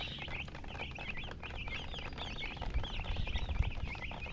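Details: Chicks of domestic chicken cheeping together, many quick high peeps tumbling over each other without pause; low thuds and bumps join in the second half.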